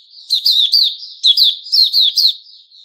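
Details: 'Buka' song of a white-rumped shama, locally puteh raja, recorded 29 August 2021. Rapid, loud, downslurred high whistles repeat in three quick clusters over a faint continuous thin warble.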